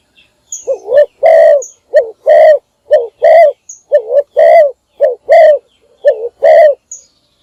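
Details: Morning calling by a decoy spotted dove used to attract wild doves: rapid run of low coo phrases, a short rolling two-part note, then a longer harsh coo, repeated about every second, loud and distorted, no other sounds.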